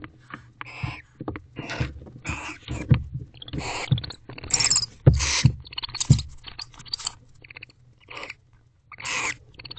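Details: Barn owls, a bonded wild pair, inside their nest box at 10:59 pm after mating, showing affection: scattered harsh hissing screeches and wheezy bursts, some loud and high, with thumps and scratches from movement.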